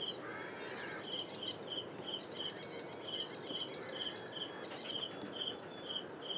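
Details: Ashy Prinia calling out loud from Powai Lake reed beds at IIT Bombay, Mumbai, India, 1 October 2022, recorded with a directional microphone: a fast, even series of high ringing notes, roughly three per second, over constant background hiss.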